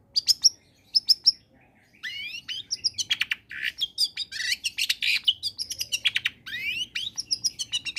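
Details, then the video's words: Long-tailed shrike in full combination song, meant to spur silent shrikes into singing: sharp chips, then a long fast medley of rising whistled sweeps, buzzy notes and rapid chattering phrases, varied and continuous for several seconds. "Suara Asli Cendet Gacor Kombinasi.. Solusi Pancingan tepat buat cendet malas bunyi agar ikut bunyi"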